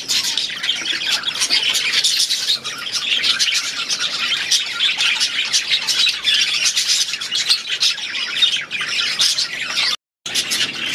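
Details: Dense, unceasing chirping and squawking from a group of budgerigars kept in an aviary, with one brief silent gap near the end.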